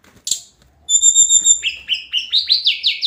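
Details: Daily song of the hill blue flycatcher (Tledekan Gunung). After a sharp click comes a long steady pure high whistle, then a fast series of about eight short rising-falling notes repeated in a lively rhythm.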